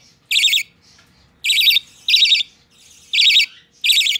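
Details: Hand-tame budgerigar chick, recorded 12 November 2020, giving harsh, buzzy, rapidly pulsed high calls in five bursts of about a third of a second each, spaced roughly one second apart, with quiet low background murmur between.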